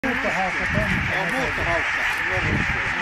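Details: Huge flock of about 17,000 barnacle geese taking flight at Konnunsuo, Joutseno, Finland, in 2012 as a peregrine attacks; overlapping short yelping honks, rising and falling, pour out over a dense, steady roar of countless birds.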